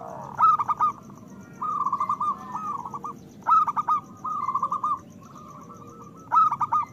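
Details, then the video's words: Loud local Zebra Dove singing to raise breeding desire in other doves. Sharp stuttering coo bursts alternate with smooth rolling phrases about every three seconds. "Perkutut lokal gacor Suara Besar Pancingan Bunyi Menaikkan Birahi Paling Ampuh"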